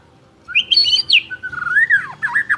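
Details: Champion white-rumped shama singing with style: a bright warbled phrase, then a long clear whistle that rises and falls before breaking into quick looping notes.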